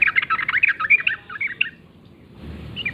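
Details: Wild yellow-vented bulbul singing in the morning: a fast burst of bubbly, chattering notes for almost two seconds, a short pause, then a few more bright notes.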